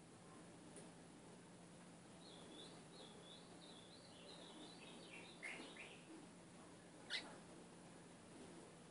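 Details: Ultramarine grosbeak song for training a caged seedeater: one whistled phrase of wavering notes finishing in a downward slurred flourish, followed by two sharp clicks, all over a low continuous hum.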